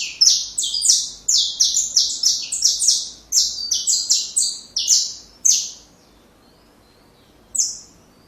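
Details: Saffron finch, recorded as teaching song for young birds: a dense, rapid stream of sharp high chips, many overlapping in pairs, running for five seconds before a pause and a single final note.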